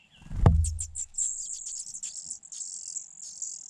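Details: Four Fujian niltava nestlings in a nest hidden in grass, being fed; a soft thump, then a continuous, very high, hissing chatter of begging that swells and fades.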